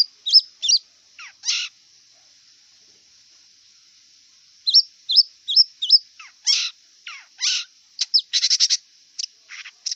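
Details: A wild long-tailed shrike sings in bursts: high squeaky chips and downslurred notes, a pause of about three seconds, then more chips, harsh rasps and a quick buzzy rattle.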